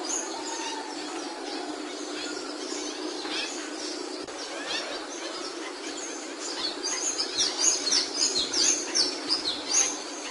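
Capuchino seedeater song: fast, high twittering and chirped phrases, busier and louder in the second half, with other birds overlapping over a steady background hiss.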